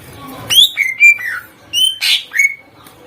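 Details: Lively greater green leafbird song used to provoke other birds to answer: six loud whistled notes, a high upward-sweeping opener followed by steady and falling whistles, with a short silent gap mid-phrase against a quiet background.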